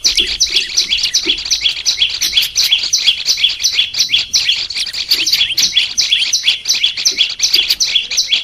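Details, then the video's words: Olive-backed tailorbird, a kept cage bird, in a training recording meant to make birds sing steadily: rapid, shrill chirps repeated close together in a chattering run, with occasional softer low notes. "Melatih suara burung prenjak lumut biar gacor"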